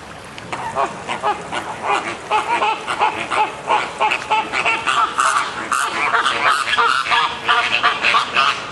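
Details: Flamingos in a minor dispute at Columbus Zoo, Ohio, possibly Caribbean flamingos, give a dense chorus of overlapping nasal honks and gabbling calls, several birds calling at once with no pause.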